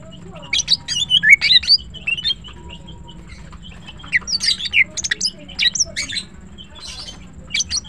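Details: Greater green leafbird in morning song, giving sharp high chirps and squeaky notes in irregular bursts with short silent gaps between them.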